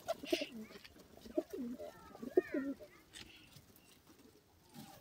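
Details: Pigeons cooing: low, soft rolling coos in short bursts, a few spaced phrases within the first two and a half seconds, then quieter background murmur.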